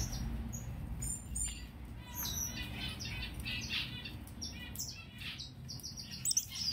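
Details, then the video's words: Yellow Gouldian finches in Chennai give thin, very high chirps and short whistled notes in irregular bursts, with other small birds calling over a low, steady rumble. "YELLOW GOULDIAN FINCH"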